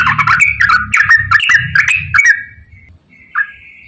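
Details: Straw-headed bulbul singing in the long rapid 'ropel panjang' style, used as a lure to prompt reluctant bulbuls to sing: about two seconds of loud, bubbly, rippling whistled notes, then near silence with one short closing note and a low background rumble.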